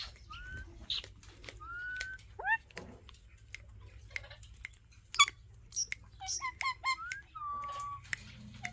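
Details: Pet Alexandrine parakeets together indoors, giving a string of short whistled and gliding notes among frequent sharp clicks and taps, with a wavering level note near the end.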